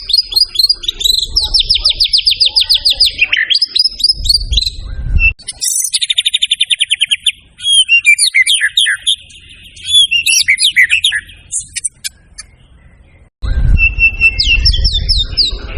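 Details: Lively white-rumped shama song with a full repertoire, used to lure and tutor other birds: rapid downslurred whistle trills, high squeaky phrases and varied chattering notes, broken by short pauses, with faint low rumbling noise at times.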